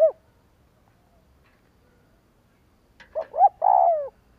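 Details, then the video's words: Lure cooing of a spotted dove, used to trigger other doves to coo: one arched note at the start, a quiet pause, then a quick pair of short coos leading into a long, roughened, downward-sliding coo. "Tiếng chim cu kích bổi Hiệu quả /Cu gáy kích bổi/ Chim cu gáy kích bổi 100% mở gáy liền"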